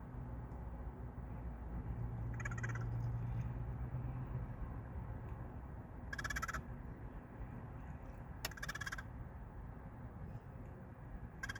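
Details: Crows visiting a workplace nearly every day produce an unusual call: several short, harsh, pulsed bursts spread over about ten seconds, some in quick pairs, with a continuous low hum and rumble behind.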